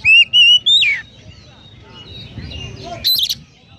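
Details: Oriental magpie-robin 'konslet' song with sparrow mimicry: two loud, level whistled notes and a down-slurred whistle open the phrase, then quiet, and a short burst of chatter near the end.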